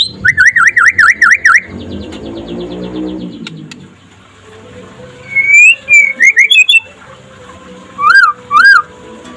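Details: Daytime song of a white-rumped shama used as a master recording to get other shamas singing: a fast trilling burst of wavering whistles, a pause filled with low background rumble, then scattered bright whistled phrases and paired ringing notes.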